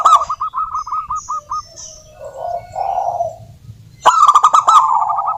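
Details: Persistent local zebra dove song for luring doves into singing; an opening string of clipped coo notes, soft warbling, then a loud buzzy burst and rolling trill.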